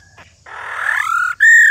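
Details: An old wild female white-browed laughingthrush makes the 'rò' call, meant to stir males to sing. A short faint whistle is followed by a long, rough, downward-sliding rasp, then one clear, strong, flat whistled note.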